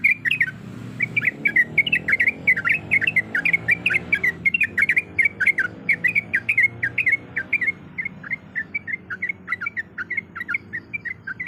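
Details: Sooty-headed bulbul, a female in breeding condition calling for the male, giving a long, busy chatter of rapid chirps and squeaky slurred notes that later thin out and soften, over a steady low hum.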